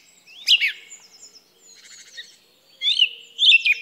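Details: Song thrush song with high squeaky downslurred notes, a soft twittering middle section and two more loud whistled bursts.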